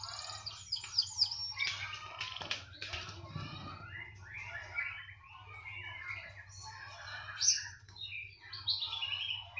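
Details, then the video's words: Canary said to keep singing wherever it is placed, delivering a varied run of high chirps, short trills and squeaky notes, with one sharp broadband knock midway over a steady low hum. "Kenari *SPECIAL*,, mau di taruh di mana saja tetap gacor"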